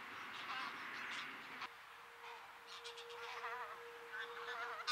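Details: Geese in flight over a field between Bresewitz and Pruchten near Zingst, Germany, with cranes also present; many overlapping, wavering honks from a distant flock, and a steady faint tone running underneath.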